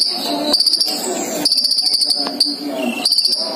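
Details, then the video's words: Caged male and female sunbirds kept together, singing actively: rapid runs of thin, high-pitched ticking notes in bursts lasting about a second, separated by short pauses, with a softer lower chatter between the bursts. "kolibri ninja dicampur jantan dan betina jadi gila gacor nya"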